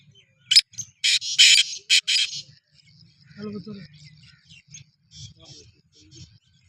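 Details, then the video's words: Black francolin (kala teetar) in chakri preparation, 2024: a cluster of loud, grating bursts in the first two and a half seconds, then a few faint scattered notes over a low background murmur. "Kala Teetar ki Chakri ki Tyari 2024 | چکری کی تیاری |Black Frankoline"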